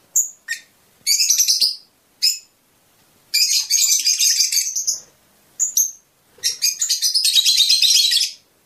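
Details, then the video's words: Rapid high twittering bursts from a Fischer's lovebird, whose chirping is said to stimulate mating. Short sharp chirps alternate with dense chattering phrases lasting about a second each, separated by brief silences. "أجمل تغريد لطيور الفيشر"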